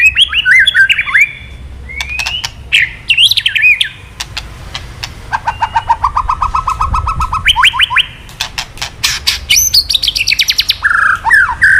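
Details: Murai batu (White-rumped shama) male, provoked by kretekan sounds into aggressive 'isian' singing: twisting whistled phrases, then a long rattling series of rapid identical notes, ending in bright, high, buzzy whistles.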